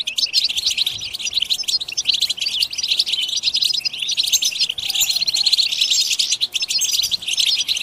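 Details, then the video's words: Group batbata of goldfinches aimed at prompting singing: continuous, busy high-pitched twittering and metallic chirps from many birds overlapping for the whole stretch. "بتبتة جماعية تجنن الحسون_بتبتة لتحفيز الحسون حتى الهيجان_اقوى بتبتة جماعية لتحفيز الحسون على التغريد"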